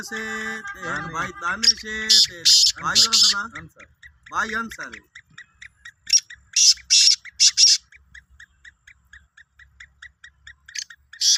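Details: Tonal harmonic sounds open the recording, then a Sindhi black francolin gives a run of four harsh grating bursts followed by soft regular ticking.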